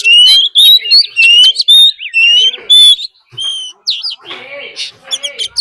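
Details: Oriental magpie-robin fighting song with a wild female's call, meant to excite rival birds: strong, pure whistled notes repeated about twice a second, followed by rougher, noisier chatter.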